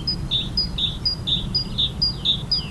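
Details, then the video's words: Adult great tit singing while perched and moving along a power line: a bright two-note phrase, a high note then a lower one, repeated about twice a second, over a low background rumble. "Great tit singing"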